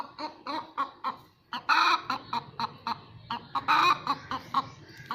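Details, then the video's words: After laying an egg, a hen cackles: uneven clucks building into two loud, strained squawks, with quieter clucking between them. "han making noise after laying egg"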